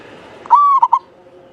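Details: A single phrase from a local Javanese zebra dove with a long, clear voice, kept as a lure singer: one sustained even coo followed by two short, quick notes, over faint low hum.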